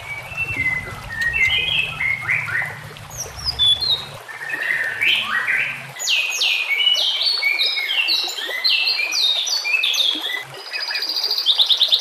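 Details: White-rumped shama singing as a master recording for training, mixed with nature sounds and flowing water: rich, fast whistled phrases that step upward, sharp high notes and rapid rising sweeps, with a low hum early on.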